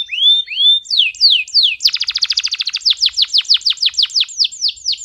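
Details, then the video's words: A heated male canary sings to tutor young canaries and excite hens: rising whistles and downslurred notes, a quick buzzy trill, then a long run of sharp descending notes repeated several times a second. "اقوى تغريد ذكر كناري حامي نار 🔥 ولا اروع للتسميع صغار الكناري وتهيج الاناث"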